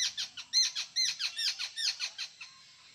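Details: Jungle babbler, called kekati locally, in the Konkan region of India: a rapid run of harsh, squeaky chattering notes, about ten strident bursts in under three seconds, overlapping as if several birds call together, fading at the end.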